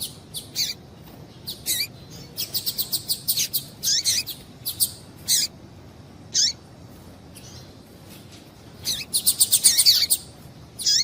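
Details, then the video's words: High female double-collared seedeater calls, used to stir males into singing: rapid bursts of thin chirps and downward-slurred notes, a fast run of repeated ticks near the middle and another dense flurry toward the end. "Piado de Fêmea de Papa capim Para Esquentar Papacapim"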